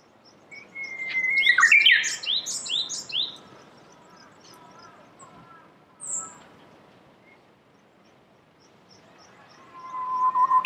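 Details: Japanese bush warbler singing in Saitama Prefecture, Japan, in March 2019 among blooming cherry trees: a long steady whistle, then a quick burst of high descending notes, with faint distant whistles and another phrase starting at the end.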